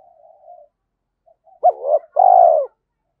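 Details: Decoy spotted dove cooing in a clear sequence: a soft drawn-out note, brief pause, then a quick rising coo followed by a longer, steady, throaty coo.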